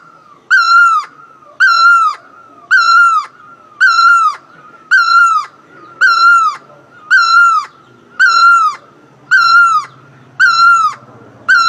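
Great barbet gives loud, wailing, slightly down-slurred notes about once a second, ten in a row in steady rhythm. No other sounds intrude.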